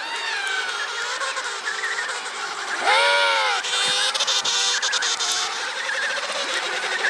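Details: Emperor penguin colony in Antarctica, recorded on site by a polar research institute, thousands of birds moving with families: a dense chorus of many harmonic, trumpeting calls overlapping.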